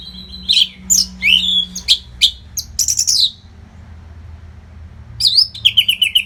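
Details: Orange-headed thrush tutor song for competition bird training. A varied sequence of rising and falling whistles and sharp chips is followed by a pause, then a rapid run of repeated bright notes.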